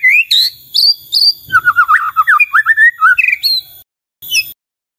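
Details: White-rumped shama singing vigorously so others reply: clear whistled phrases followed by a quick series of short, rapid descending notes, ending after a brief pause with one more whistle.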